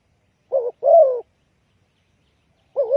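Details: Spotted dove lure call used in bird trapping: one husky phrase of a short coo and a longer falling, wavering note, then the start of another.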